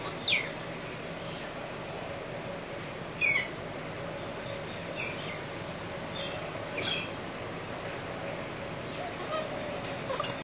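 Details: Galahs in central Australia give harsh, grating screeches at early morning, short and spaced every one to three seconds, over a steady low hum, as they scream and muck about.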